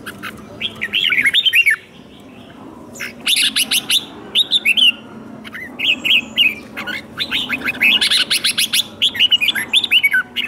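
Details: Red-whiskered bulbul kept in a cage sings its fighting song, used to train captive birds: clustered bursts of slurred whistles and sharp chip notes, with short gaps, several phrases over ten seconds.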